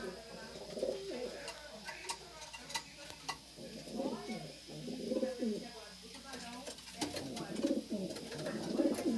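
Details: Racing pigeons in a loft at Francisco Sá, Minas Gerais, Brazil: low, rolling, warbled coos from several birds overlap, with sharp clicks and shuffling, scratchy noises of birds moving around throughout.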